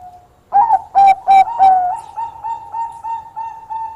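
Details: Zebra dove, Bangkok perkutut type, singing busily and said to attract opposing birds. Four strong, abrupt coos come first, then a long train of quieter, level notes repeated roughly three times a second.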